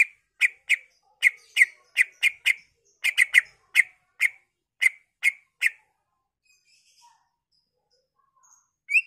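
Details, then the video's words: Greater green leafbird singing a lure song meant to set other leafbirds singing, packed with mimicry: a steady series of short sharp chips, roughly two per second, then a pause and one whistled note at the close. "CARA CUCAK IJO BONGKAR ISIAN/ Pancingan Cucak Ijo Merangsang Cucak ijo lain"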